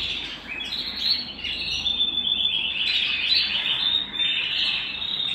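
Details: Canary singing at home: a continuous stream of high, buzzy warbled notes and chirps, varied in pitch.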